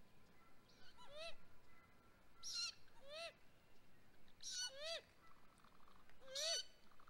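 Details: At a great grey owl nest in Mission Valley on 12 May 2020, while the male delivered prey, four rasping, arched squeals that rise then drop come roughly every two seconds over a soft steady hiss.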